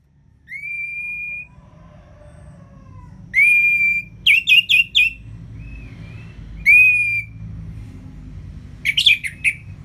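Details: Orange-headed thrush singing in the ngeplong style, a training recording for lazy birds: a long rising whistle, then loud ringing phrases with trilled notes and gaps of quiet between them.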